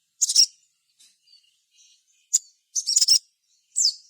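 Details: Crimson sunbird (sogon) singing steadily, a lure to set other sogon singing and answering: sharp, very high chirps in a few bursts, with soft, thin, wavering whistles in the gaps.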